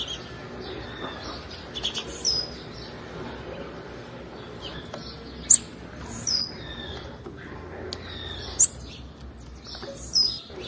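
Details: Stimulating call of a female blue-black grassquit for males: short shrill chirps repeated roughly every three seconds, each paired with a fine high whistle, against a constant hissing background.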